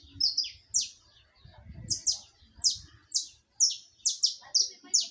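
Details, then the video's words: Repeated bright, high chirps sweeping downward, spaced about half a second apart, make up this live saffron finch song, with some low rumbling in the background. "Som de canário da terra canto ao vivo"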